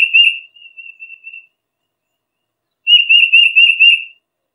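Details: Tufted titmouse whistling a quick, wavering string of notes that fades into softer trailing ones. After a pause of over a second, a louder, steady run of about eight notes follows.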